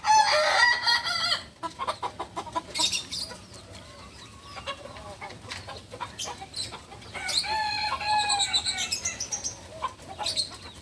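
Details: Young beginner Balenggek rooster, a native chicken of Solok, West Sumatra, crowing in harmonic bursts: a loud opening phrase, a short middle phrase, then a longer stepped crow near the end, with clicks and quieter gaps between.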